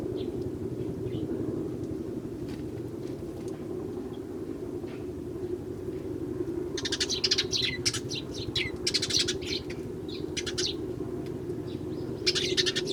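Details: A flock of wild Eurasian tree sparrows in early January, with a single starling also visiting. Sparse faint chirps at first, then a dense run of bright, overlapping chirps and twitters over a constant low hum.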